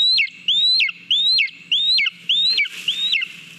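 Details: Lesser spotted eagle at the nest in Latvia, 18 July 2022, eating a mole; five or six loud, shrill rising whistles about half a second apart, the last one blurred by a burst of rustling.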